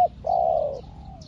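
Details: Newly trained spotted dove decoy luring wild doves, heard as a brief clipped note followed by one sustained low, level coo that trails off softly against a quiet humming background.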